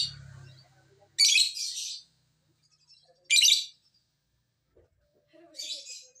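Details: Lovebird call used to provoke other lovebirds into singing: three separate harsh, buzzy, high-pitched chatter bursts about two seconds apart, the last one softer.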